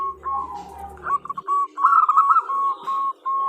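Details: Zebra dove female calling the male, used as a lure: wavering cooed notes over a low hum at first, then clear, evenly spaced mellow coos about three per second.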